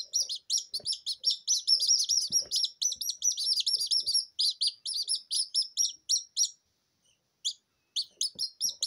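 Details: Just-hatched Silkie Serama chicks crying indoors without a mother hen: a dense stream of shrill falling peeps from several chicks, briefly pausing before resuming, with light tapping and handling noises.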